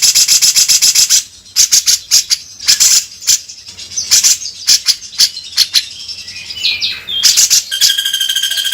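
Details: Cucak jenggot (grey-cheeked bulbul) in rough 'beset kasar' song for tutoring: harsh rattling bursts and scattered sharp clicks, then thin whistled warbles and a steady high trill at the end.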